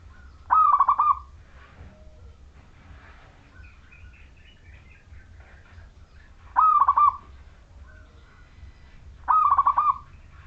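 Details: Zebra dove of the local wild Majapahit type singing to draw other doves into song: three rolling, pulsed cooing phrases spaced several seconds apart, separated by quiet stretches with faint rustling noise.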